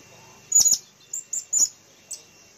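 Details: Lure bird, a blue-crowned hanging parrot, recorded April 2021: a loud doubled high chirp, then three quicker thin notes and a final faint one, all sharp and very high-pitched.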